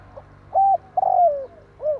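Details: Spotted dove giving its tarik akar style coo, used as a lure for trapping birds: a short low note, a steady mid coo, then a long coo sliding downward, closing with one short arched coo.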